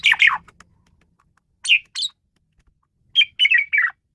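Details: Asian pied starling used as a tutor bird, giving three separated bursts of loud harsh chattering and whistled notes with quiet gaps between them.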